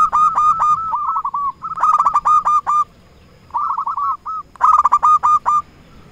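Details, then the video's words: Local perkutut, a zebra dove used to lure rivals and provoke replies; four loud phrases of quick, bubbling coos, each a fast tumble of short notes, separated by brief silences. "Perkutut lokal gacor RAJA PIKAT memanggil lawan sekali dengar bikin semua perkutut nyaut"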